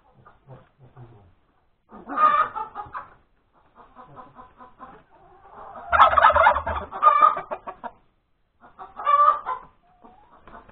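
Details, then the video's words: Egg-laying hen on 31 January 2021, breakfast time, alternating quiet broken clucking with three loud cackling outbursts, the longest a harsh, rasping run of notes lasting nearly two seconds. "the crowing of the hen that lays the egg"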